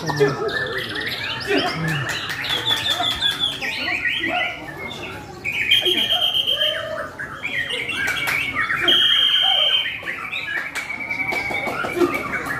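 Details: White-rumped shama in full, energetic song: long run of varied loud whistles, buzzy trills and sharp clicks, some notes held steady and high, phrases broken by brief quieter gaps.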